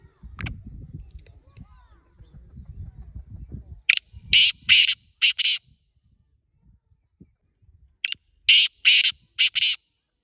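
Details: A wild black francolin in Pakistan gives two harsh, grating phrases of four to five rasping notes each, about four seconds apart. A thin steady whine and low rumble are heard beforehand.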